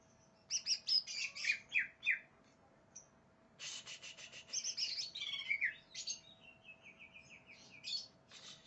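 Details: Greater green leafbird in aggressive full song, said to be seeking an opponent: dense rapid chattering bursts and buzzy trills mixed with sharp whistles, then a short series of sweet, descending notes.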